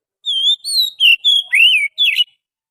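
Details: Wild-forest Oriental magpie-robin singing a lure phrase: six loud clear whistles over two seconds. A wavering level note and a rising note lead to shorter notes, a broad downward slur and a buzzy closing twist.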